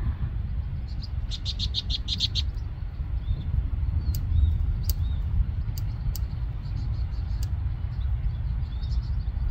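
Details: A small vinous-throated parrotbill on dry grass stalks gives a quick run of about seven high, dry chattering notes, then scattered sharp ticks, over a steady low wind rumble.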